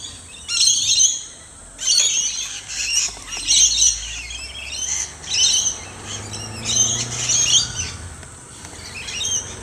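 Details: Rainbow lorikeets at dusk in a trumpet tree in a neighbouring garden, flying around and giving harsh, high screeching chatter in repeated bursts every second or so, several birds calling together, faint low hum beneath.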